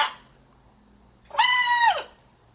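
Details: Pet blue-and-gold macaw at play, giving a single loud, harsh squawk of about half a second that rises then sweeps downward at the end, with quiet pauses before and after.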